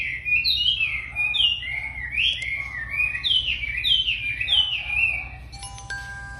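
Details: Tame wambi in lively song gives a rapid run of high whistled notes rising and falling in wavy loops, each phrase slurred into the next; steady electronic tones appear near the end.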